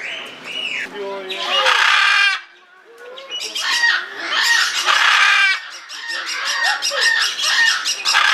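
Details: Blue-and-yellow macaw in Belgrade Zoo, Serbia, February 2022, unedited recording: loud, harsh, raspy squawks in rough bursts with short pauses between them, some notes rising and falling.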